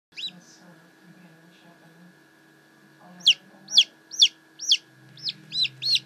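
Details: Newly hatched blue Silkie chicks give a run of high, arched peeps, about two per second, after a quiet stretch with a few faint early peeps; a steady electrical hum runs underneath.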